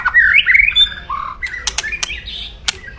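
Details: White-rumped shama giving loud, aggressive 'kretekan' crackling to provoke rivals. Short burst of rich slurred whistles, then scratchy notes and sharp clicks.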